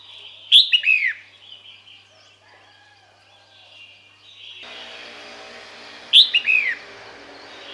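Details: Female red-whiskered bulbul calling males toward her: two clear phrases of sharp, downward-slurred whistles roughly five and a half seconds apart, with a steady background hum growing louder midway.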